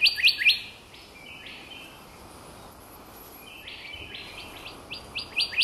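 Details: Golden Whistler of the Lord Howe Island subspecies, in the island's north, gives quick bursts of bright high notes and short slurred whistles in loose clusters over a steady low background hiss.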